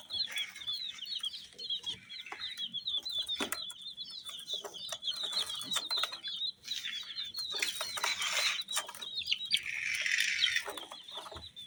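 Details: A group of colored chicks peeping continuously in high, quick repeated notes, mixed with rustling, taps and a louder noisy patch near the end.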